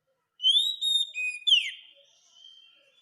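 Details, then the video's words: Oriental magpie-robin song used as a tutor recording for teaching caged birds to sing: a clear, pure whistled phrase of long level notes followed by a sharp downward-sliding whistle and a fading faint tail, in otherwise quiet surroundings. "Masteran burung kacer supaya cepet gacorr"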